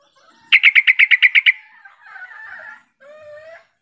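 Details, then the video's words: Sooty-headed bulbul lure call used to make sluggish birds answer and sing back; a rapid burst of eight sharp repeated notes, then a softer warbled phrase and a low, hoarse, slightly rising note. "Suara panggilan trucukan ini mampu mengatasi trucuk yang malas bunyi jadi rajin bunyi sahut sahutan"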